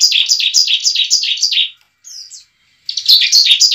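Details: Bar-winged prinia in fighting song, used to provoke a newly caught bird into singing: quick series of high, slurred chip notes, then silence broken by a brief thin whistle before the fast chirps return.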